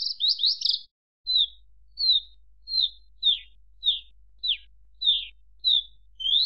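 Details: A Javan bush lark sings a brief scratchy flourish, then a slow series of single downslurred high whistles spaced under a second apart.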